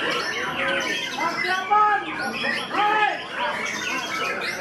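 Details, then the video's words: White-rumped shama (murai batu) at the SKM Lomdo Kampung Cup singing contest, outright first-place winner of its class with a two-style song; loud whistled phrases with repeated descending slurred notes, over crowd talk and other birds. "MURAI 2 GAYA"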